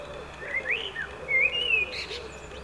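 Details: Clear fluty blackbird song of two rich, warbled phrases, the second longer and sliding upward before a brief high flourish. A faint lower wavering tone and light background hiss continue behind it.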